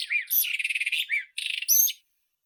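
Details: White-throated robin singing a short burst: a rapid rattling trill between squeaky slurred notes, a brief pause, then a scratchy phrase ending in a high whistled note.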